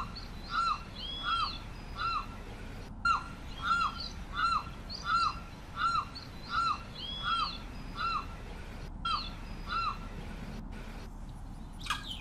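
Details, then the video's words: Limpkin (carrao) giving a long run of loud, wailing, up-then-down cries, around fifteen notes at a brisk, fairly even pace, with brief breaks and a sharp noise at the end. "Canto del Carrao"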